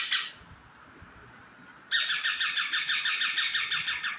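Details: Pet talking parrot giving a brief harsh squawk, then after a pause a fast, loud run of rasping squawks repeated about three times a second, indoors.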